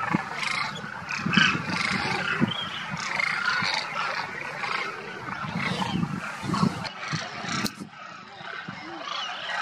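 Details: Demoiselle cranes wintering around Kheechan village, Rajasthan, India, having come from Mongolia: a large flock's constant chatter of overlapping nasal trumpeting calls, with scattered sharp clicks and low rumble.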